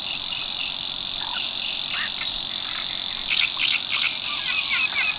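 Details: Savi's warbler back to breed at Tancat de l'Illa, l'Albufera, delivering a constant shrill buzzing reel, with bursts of quick chirps from other birds, strongest in the second half.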